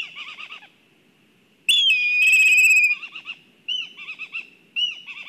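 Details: Agitated black kite at its nest in Kurzeme, Latvia: short, clipped, slurred whistles come in quick bursts around one long, downslurred, trilling whinny, followed by more brief two-part whistled calls.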